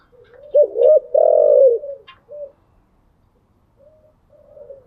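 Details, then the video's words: Caged spotted dove calling in the morning: two quick, loud, gulping notes run straight into a long, rough, falling coo, followed by a short hoot and faint trailing notes. "Tiếng chim gáy buổi sáng"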